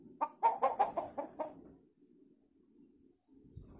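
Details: Hill myna imitating chicken sounds: a quick run of about seven throaty, clucking notes in under two seconds, then quiet with a faint low hum.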